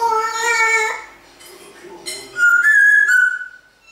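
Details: Pet African grey parrot indoors in Australia at Christmas, singing Jingle Bells and other things: a clear whistled tone, softer speech-like murmuring, then bright sliding whistles in a small room.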